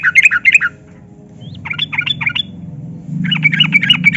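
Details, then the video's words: Yellow-vented bulbul in long rapid 'gacor ropel' singing, used as a lure to get reluctant captive bulbuls to sing: bursts of quick bubbly chirping notes, a short rising whistle between, then a longer fast chattering run; low hum beneath. "Trucukan Gacor Pancingan Burung Bahan Jantan dan Betina Agar Garuda dan Bunyi"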